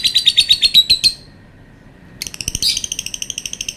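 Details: Lovebird giving its long call: a fast string of high, sharp chirps for about a second, a short pause, then a second rapid chattering burst.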